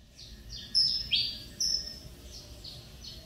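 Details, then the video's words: Saffron finch (canário mineirinho), son of a championship runner-up male and a CMA female, coming out of moult and starting to sing again after almost two years; three sharp high notes over low background noise. "Canário Mineirinho filho do Mineiro vice campeão Cobrap e de mãe CMA voltando a cantar"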